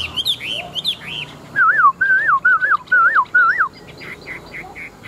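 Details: Large-bodied, old wild-caught caged Chinese hwamei kept as a fighting bird, praised for its fine forest voice, sings: clear falling whistles, then five loud wavy, slurred phrases in quick succession, ending with softer whistled notes.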